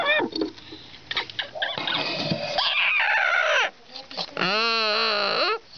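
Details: Pet parrot, a caged male wanting to nest, calling indoors beside his new nest box: harsh, loud arched screeches with strong harmonics, the last one long and rising then falling, mixed with a woman talking to him.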